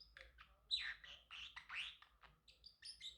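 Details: Male pet Pacific parrotlet chirping and chattering, with scratchy squeaks and harsh notes in quick succession, ending in a run of thin high whistled peeps.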